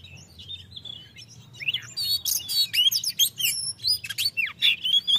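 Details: Ngeplong song of an Oriental magpie-robin meant to rouse lazy, unsinging birds: soft warbling builds into a rapid, varied stream of sliding whistles, sharp chips and upward and downward swoops, about four notes a second, over faint low hum.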